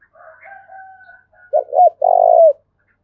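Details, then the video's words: Dong Nai spotted dove, Vietnam, in 'thúc bổi' calling: a faint higher drawn call, then a loud low phrase of two bent notes and a held coo that falls away at the end. "Cu Gáy Đồng Nai Đang Thúc Hay Nhất, tiếng cu gáy thúc bổi mới"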